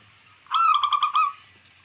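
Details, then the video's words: Local wild zebra dove song, played to provoke rivals and increase breeding drive: a single short phrase of about six quick, evenly pulsed cooing notes lasting under a second, with faint low hum behind. "Perkutut lokal alam,langsung respon cepat untuk merangsang dan emosi lawan makin meningkat"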